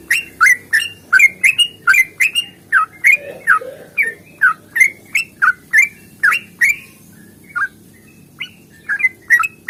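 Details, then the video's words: Lively fighting song from a sooty-headed bulbul, used to make birds answer: a rapid chain of bubbly whistled notes that slows and thins toward the end, with a soft low murmur in the background. "trucukan GACOR tarung ropel panjang ini AMPUH bikin trucuk gacor bunyi NYAUT"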